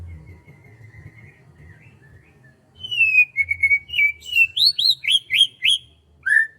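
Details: Bird singing on a morning in rice fields: a soft opening whistle, then a loud sustained whistle leading into a rapid series of sharp upslurred chirps, ending with a lower downslurred note.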